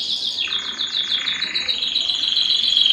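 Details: A powerful canary sings to stimulate mating: rapid, high rolling trills repeated several times a second, layered over a lower sustained roll that ends in a bright whistled phrase.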